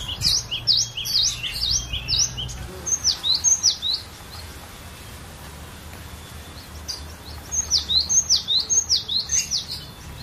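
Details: A captive cinereous tit (Parus cinereus) sings rapid runs of high, sharp, down-slurred notes in two bursts separated by a quiet pause, over a faint low rumble.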